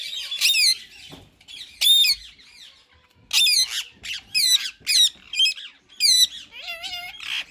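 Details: Ringneck parakeets, a white male and a green bird, in talking mode: a string of loud, harsh, ringing squawks in quick clusters, ending with a lower sliding whistle.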